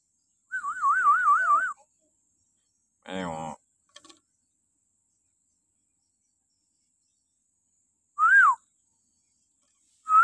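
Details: Common hill myna in a morning training recording for captive birds: a rapid wavering warble, a buzzy harmonic burst, and, after a long pause, one arched whistle.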